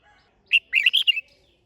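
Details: Red-whiskered bulbul in competition-style singing (chào mào hót đấu): one short, bright, warbled phrase of about five quick fluted notes rising and falling, then silence.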